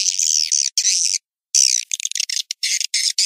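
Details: Swiftlet lure call from Indonesia used by swiftlet farmers to attract birds to nesting houses: harsh, high, buzzy chattering bursts in choppy bouts separated by brief, clean-cut silences.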